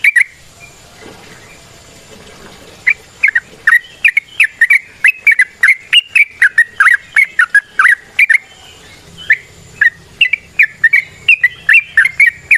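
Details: Yellow-vented bulbul (trucukan) in the wild, singing a long rapid 'ropel panjang' song used as a lure: a dense run of short, sharp, chattering notes, repeated rapidly for most of the recording after a quiet start.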